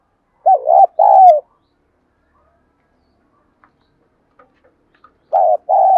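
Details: Spotted dove used as a decoy, calling to lure wild doves; two loud, husky coo phrases at the start, a long silent stretch, then two more coos at the end.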